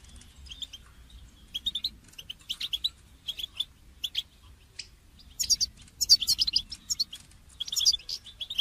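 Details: Goldfinch song for training: soft, spaced chirps at first, then rising to a louder, busy stretch of high twittering and bright tinkling trills in the second half.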